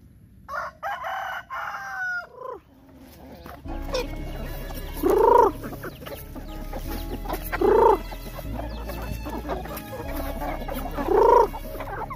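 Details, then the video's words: Young roosters during morning feeding give three short, harmonic crow-like calls about every three seconds. Higher chirping comes first, with background music and farmyard noise throughout. "Feeding chickens in the morning and Captures all my youngster roosters activities"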